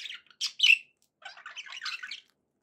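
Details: Happy budgerigar chatter: a few sharp squeaky chirps, one sliding downward, then a pause and a quick run of soft twittering notes.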